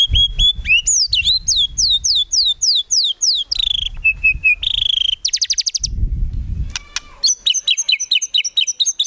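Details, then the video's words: White-rumped shama singing actively, a training recording of fill-in song with rapid bursts and no clucking: varied phrases of steady whistles, fast descending slurred notes, quick trills and chattering runs, with low rumbling in the background. "MURAI BATU GACOR FULL ISIAN TEMBAKAN MEWAH GAK ADA NGUKLUK NYA"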